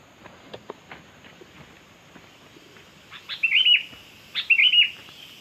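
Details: Sooty-headed bulbul (kutilang) singing on a lure recording: after three seconds of soft scattered clicks, two short, bright warbled phrases sound about a second apart, each opened by a sharp click.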